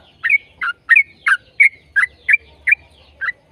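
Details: Yellow-vented bulbul singing in long phrases, meant to prompt other bulbuls to sing: evenly spaced bubbly gurgling notes, about one every third of a second, each with a brief whistled tail.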